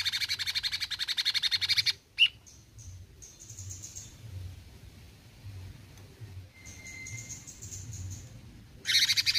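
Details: A cucak cungkok bulbul sings a two-second run of fast, buzzy besetan pulses, then gives a sharp single note, faint high whistles and one thin level tone, and finally another brief rapid burst.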